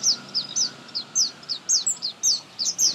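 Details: In a garden in India, a sunbird calls loudly and high: sharp downslurred notes repeated about four times a second, evenly spaced, over faint background hum.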